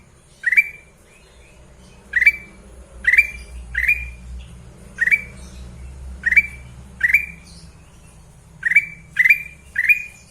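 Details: Sooty-headed bulbul, kept bird, giving a series of short rising whistled calls roughly every second, about a dozen in ten seconds, over a steady low rumbling hum.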